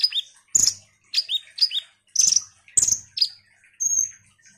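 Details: Ruby-cheeked sunbird singing energetically as a lure for other sunbirds: a series of piercing high notes, each sliding sharply downward, given roughly every half second with short twittery bursts, ending in a thin level whistle.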